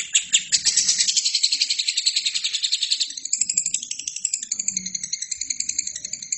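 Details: Lovebird song used to train other birds: a loud, dense, scratchy high trill for three seconds, then thinner, more spaced chirping pulses, with faint low murmuring sounds.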